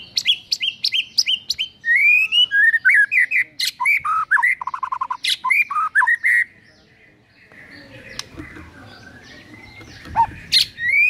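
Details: White-rumped shama singing its full repertoire, used as a morning lure to get birds singing: fast varied whistled and chattering phrases sweeping up and down for six seconds, then a quieter stretch with soft notes and a few sharp chips.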